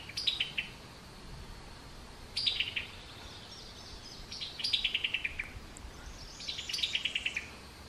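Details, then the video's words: Summer tanager giving its distinctive chuckling call: rapid descending strings of sharp notes, four bursts spaced about two seconds apart, over faint background hiss. "Summer Tanagers 2020"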